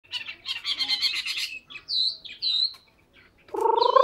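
A Hwamei sings a rich, varied phrase: a fast run of buzzy high notes, then clear whistled slurs, ending on a lower, fuller rising note.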